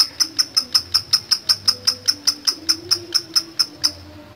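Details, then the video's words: Lovebird ticking in ngetik style: sharp, high clicking notes repeated evenly about four times a second, then stopping, with faint low murmuring in the background. "SUPER LATAH LOVE BIRD NGETIK NGEKEK DURASI PANJANG"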